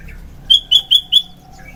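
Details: Sooty-headed bulbul, morning lure song: four short, clear, high whistled notes evenly spaced in under a second.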